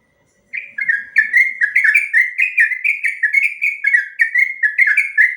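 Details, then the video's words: Sooty-headed bulbul giving a long rapid ropel song, used as master material for training other birds. Bright, rich whistled notes repeat quickly, each dropping and rising in pitch, in an unbroken, lively run after a brief silence. "Suara burung trucuk ropel panjang"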